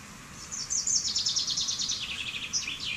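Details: Common chaffinch song phrase: high, rattling notes in a fast series that fall steadily in pitch, closed by a brief, higher accented ending, with steady soft background hiss.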